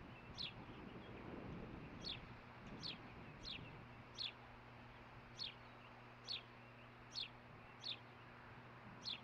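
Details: Osprey at its nest, recorded by a nest camera on the morning of 11 June 2015 while looking for and catching fish, giving short, sharp, high whistled chirps spaced about a second apart over steady wind and rumble.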